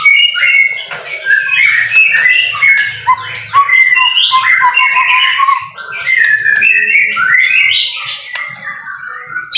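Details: Dense, fast white-rumped shama song in rain, continuous jumble of high whistles, trills and chips with hardly a break.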